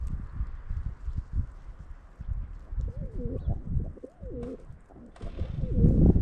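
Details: Flock of pigeons eating bread near a school on a frosty winter morning, recorded on a GoPro Hero 8. Short, low, wavering coos come in a cluster midway through, over a heavy low rumble of handling and movement noise.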